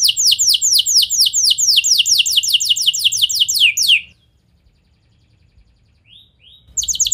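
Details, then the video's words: Canary song for provoking nearby canaries to sing back: four seconds of quick repeated falling high notes, then near silence with two soft rising chirps before the trill resumes. "Kenari Kondisi Apapun Pasti Nyaut! Ampuh Buat Memancing Kenari Lain, Langsung Gacor"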